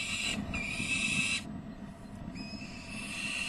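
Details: An adult peregrine falcon at De Mortel, 29 May 2009, gives harsh, rasping, high-pitched alarm screams in two drawn-out bursts, warning a young bird fluttering on the ledge edge, over a low background rumble.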